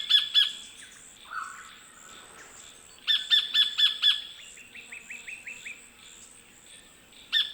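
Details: In Wollemi National Park's Australian bush, a sacred kingfisher gives loud, sharp 'kek-kek' series, followed by a run of short, squeaky descending notes; another low whistle and distant birdsong sit in the background.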